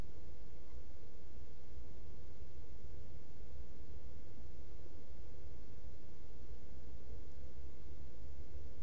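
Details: A steady low hum and faint hiss from a burrow camera, unchanging throughout, with no calls.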